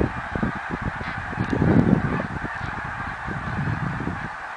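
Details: Snow geese calling together in 2014, a dense overlapping chorus of low, rapid honks with no pauses, many birds sounding at once over steady background noise.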